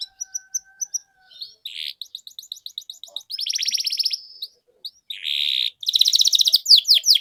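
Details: Singing canary in full gacor form, played to spur quiet canaries to sing: scattered chirps giving way to fast buzzy trills, rattling rolls and clusters of sharp downslurred whistles.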